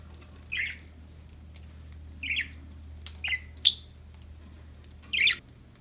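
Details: Happy budgies: separate short, high chirps, some rising and some falling, spaced about one second apart, five in all, over a steady low hum.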